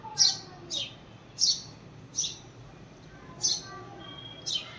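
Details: House sparrow repeatedly calling for its friend: six loud, piercing chirps about a second apart, with soft voices faintly heard at the start.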